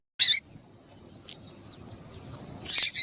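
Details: ['Female double-collared seedeater call, used to stir males into singing: two brief, loud, harsh high chips, one at the start and one near the end, separated by a quiet gap with faint thin whistles behind.']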